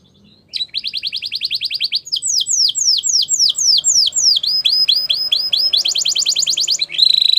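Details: Gloster canary song with quick trilled bursts, a string of repeated descending sweeps with high overtones, another fast trill and a closing buzzy note, steady and loud.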